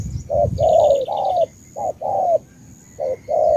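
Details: Spotted dove from Ca Mau, Vietnam, giving three short-long coo pairs, the longer notes mellow and slightly falling, over faint high trills and low rumble.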